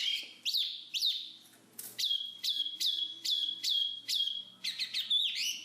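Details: Black-capped babbler singing: a series of bright, sharply rising notes that settle into short level whistles, repeated about twice a second, with a few scratchy chirps mixed in and a faint low hum beneath.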